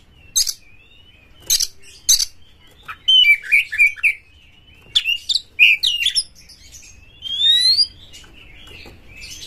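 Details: Champion oriental magpie-robin singing excitedly with tail spread, a lure song meant to provoke other magpie-robins. Short bursts of bright whistled, slurred and buzzy phrases separated by brief pauses, with sharp high chips and a quiet background.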